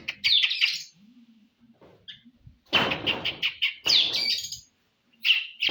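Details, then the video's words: Oriental magpie-robin song used as a provoking track for fighting contests: high scratchy chatter and squeaky notes in bursts, broken by loud broadband noisy rushes; faint low tonal hum between phrases. "KACER SIAP ADU..PANCINGAN BUAT KACER NGOTOT"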